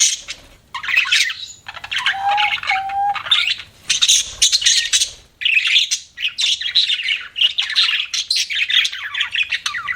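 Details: Lively budgie chirping: fast warbled twitters and squawks in bursts, including a pair of lower, steady whistled notes early on.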